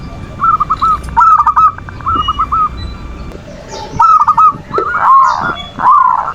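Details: Manggung cooing of a zebra dove (perkutut), meant to lure other doves into calling. Clusters of short trilled coos at first, then louder, fuller rolling phrases with wavering pitch, over a steady hum of background noise.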